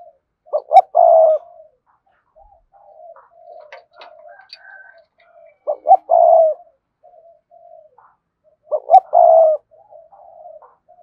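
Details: Spotted dove giving a cườm sa style coo meant to prompt other doves into cooing quickly. Three low cooing phrases about four seconds apart, each two short clipped notes then a long steady hooting note. Faint soft murmurs fill the gaps.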